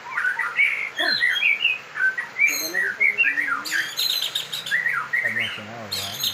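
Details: White-rumped shama, trained so a slow-to-warm-up bird becomes a fighter, giving a rapid run of varied whistled and warbled phrases. Harsh buzzy bursts and low tonal sounds from other birds overlap it.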